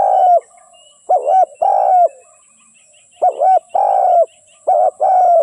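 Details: Spotted dove used as a decoy bird to lure wild doves for trapping: low, hoarse coos in grouped phrases, a short clipped coo followed by longer drawn-out coos, each phrase separated by pauses of one to two seconds, with a quiet background.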